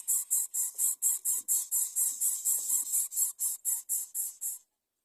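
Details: Greater coucal chick calling while being fed, a fast, steady series of sharp, high squeaky notes, about two per second, stopping abruptly near the end.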